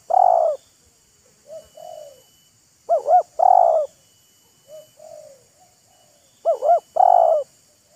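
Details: Wild spotted dove and decoy bird showing off their calls: loud phrases of two wavering notes and a long coo alternate with quieter, shorter distant coos, as the birds answer one another.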